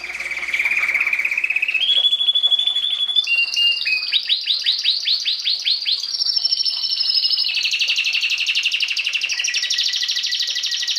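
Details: Belgian canary song for encouraging chicks, 2016 breeding season; steady whistled trill, then a run of quick falling notes, followed by long fast rolling trills at high pitch.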